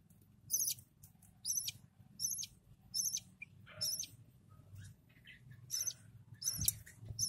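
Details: Lovebird chicks being fed by their parents: a series of short, thin, high squeaky calls, one roughly each second, with soft low rustling and a faint hum beneath.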